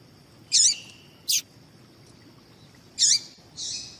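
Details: Female double-collared seedeater call, used to fire males up into song: high buzzy chirps with a downward tail, a sharp snap between them, and a softer drawn-out buzzy note at the end, over a faint high whine.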